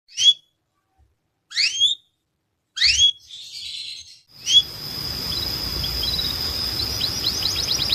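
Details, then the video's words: Canary song for training young canaries: three separate high, rising whistled sweeps spaced over a second apart, a brief rasp, then a high steady tone and a quick run of rising chirps over a background hiss. "Melhor Som de Canário Para Treinar"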